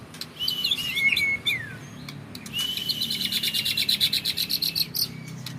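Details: White-rumped shama of a champion bloodline, caged, sings slurred whistles, then a long high trill of evenly repeated rapid notes that pulses for about two seconds.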